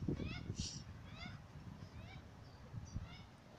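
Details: Young Australian magpie begging its parents for chips in a cemetery: a few scratchy rising squawks at first, then quieter, more spaced cries fading out, with low background rumble.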